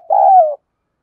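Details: Spotted dove calling in the field-type voice used to stir up training birds; a single smooth, low hooting coo lasting about half a second, steady then gently falling, followed by silence.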